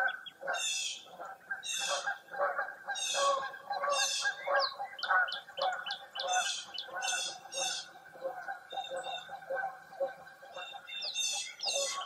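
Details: Lakeside birds singing on a foggy early April morning in Wisconsin. Trilled, buzzy high phrases repeat roughly every second over a steady background of lower warbling and chattering calls.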